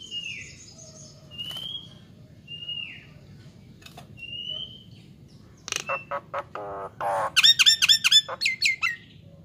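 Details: Nias hill myna singing vigorously on a tutor recording for songbirds: scattered soft slurred whistles with clicks over a quiet background, then a burst of loud rattles and ringing harmonic squawks near the end.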